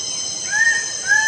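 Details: Two loud, rising-then-level calls from a lesser bird-of-paradise, the second starting just after one second, with continuous high-pitched insects behind.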